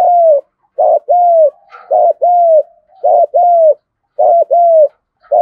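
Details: Fighting coo of a spotted dove in the field-voice style, used as a lure: steady repeated pairs, a short clipped note followed by a longer level-then-falling coo, four pairs in quick regular succession.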